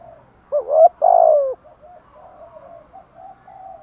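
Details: Spotted dove cooing in the thúc gù and gáy gọi styles: a brief rising hoot, then a sustained, full, falling coo, followed by a quiet run of faint low cooing notes.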